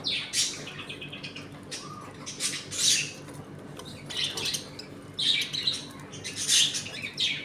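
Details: Home colony of budgies feeding, playing and fighting, giving a steady stream of squeaky, grating squawks and rapid warbled chirps from several birds, loud bursts every second or so.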